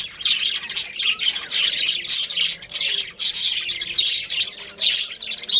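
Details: Breeding colony of budgerigars, Australian parrots, kept as pairs and families: dense, overlapping high chirps and squawky chatter in bursts, many birds calling at once with short pauses.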